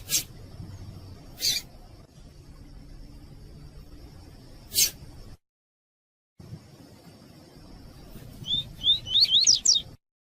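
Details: Double-collared Seedeater (coleiro tui-tui) song recording used to teach and warm up captive birds: a quick run of high, rising whistled upslurs near the end, over a steady high hum and a few sharp clicks.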